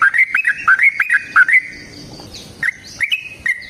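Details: Lively yellow-vented bulbul song, a long trilling 'ropel' phrase meant to provoke other bulbuls into answering; chains of quick, warbled whistles break off mid-clip, then a few spaced, clear notes return.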